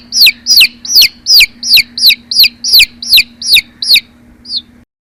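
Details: Young chicks giving shrill falling peeps, about ten in quick regular succession, then one softer final chirp before silence; faint background hum.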